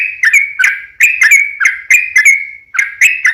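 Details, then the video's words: Lure song from a sooty-headed bulbul, fighting style with long rapid runs meant to make other bulbuls reply; quick paired bubbly whistles with bright ringing tones, repeated several times in just over three seconds. "SUARA trucukan gacor RAJA PIKAT tarung ropel panjang"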